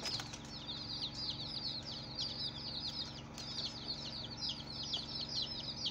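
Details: Baby chicks on their first day, a dense chorus of many high peeps overlapping continuously over a steady low electrical hum.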